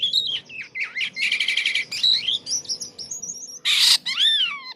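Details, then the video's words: Jalak kapas in full, lively song, described as strange: wavering whistles, a buzzy rattle, chattering notes and a harsh burst, then a long downward whistled slur, with a low hum beneath. "SUARA ANEH BURUNG JALAK KAPAS GACOR"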